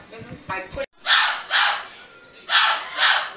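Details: A 22-year-old severe macaw on its first day at a sanctuary, September 6, 2015, indoors: a person speaks softly, then four loud, harsh, broad squawks follow about half a second to a second apart.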